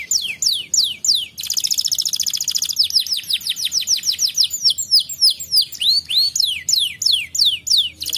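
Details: Canary singing in a recording meant to prompt a reluctant canary: a few high falling whistles, then a fast rattling trill, followed by series of repeated downward-slurred notes at a steady pace, bright and high-pitched throughout.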